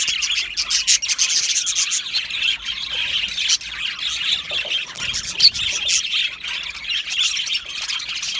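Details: Australian budgies singing and chirping happily in an aviary colony: a long stretch of dense high warbling chatter, with sharp clicks, squeals and squawks from many birds overlapping.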